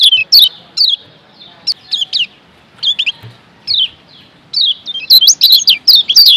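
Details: Kecial kuning Lombok white-eye song played as training audio to make caged birds sing vigorously: short high chirpy notes spaced by brief pauses, building into a dense, rapid twittering burst near the end.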